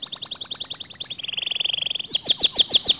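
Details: Canary singing in a way said to stir other canaries into song: quick high chirps in rapid rhythm, a long even rattling trill, then loud sweeping notes repeated several times a second.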